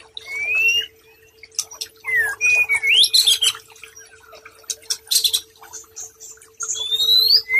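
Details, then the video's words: White-rumped shama singing on a tutoring recording for stressed, silent birds: clear rising whistles and fast varied chirps in bursts, separated by short pauses, over a constant faint tone. "Masteran Sekaligus Terapi Brainwave Murai Batu Stress Dan Macet Bunyi"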